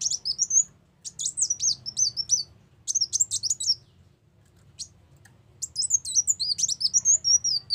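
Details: Brown-throated sunbird (kolibri wulung) song used as a lure for trapping: high, thin twittering phrases of rapid zigzag notes in bursts separated by short pauses, with a faint low hum beneath.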